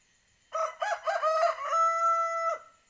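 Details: Male village chicken (ayam kampung) rooster crowing: a clear, loud call of several short rough syllables, then a long sustained, steady tone lasting nearly a second, ending abruptly; quiet background.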